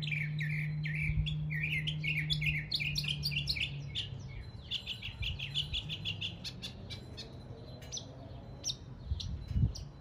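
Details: Northern mockingbird in an East Tennessee neighborhood imitating local birds: rapid varied phrases of high chirps and slurred notes, each type repeated several times before switching, over a steady low hum.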